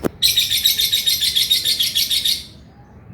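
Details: A burst of 'ngekek' chatter from a male lovebird: about two seconds of fast, evenly pulsed, shrill buzzing that then stops abruptly.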